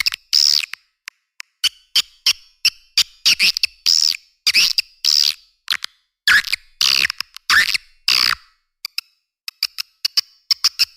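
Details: Edible-nest swiftlet luring sound: separate sharp chirps and short squeaky twitters roughly every half second, with quiet spaces between them and faint thin clicks at the end.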